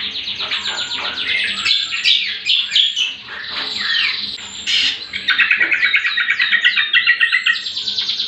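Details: Greater green leafbird song used as a trigger and master recording for training other birds: dense, rapid, varied warbling of chattering trills and sweeping whistled notes, turning to fast, evenly repeated phrases in the second half.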